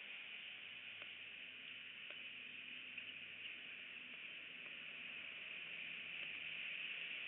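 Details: Constant static hiss from an eagle nest camera, with scattered soft ticks and a faint low hum, free of any animal calls.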